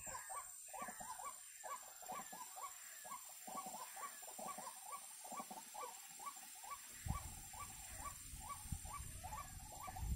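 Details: A white-breasted waterhen, locally kreo padi, calls during bird trapping: a long even series of short gruff notes, close to two per second, with a low thumping noise entering near the end.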